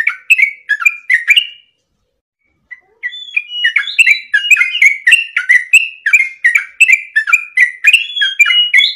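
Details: Sooty-headed bulbul singing vigorously, used as a tutoring and prompting track for caged birds. Bright whistled and chirpy phrases repeat rapidly, with a short pause after about a second and a half before a dense, continuous run of notes resumes.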